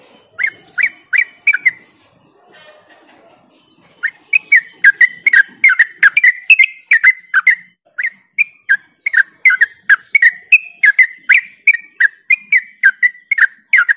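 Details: Lure song of the yellow-vented bulbul meant to trigger singing in other bulbuls: four quick bubbly notes, a short pause, then a long fast stream of chirping, swooping whistles running on for about ten seconds.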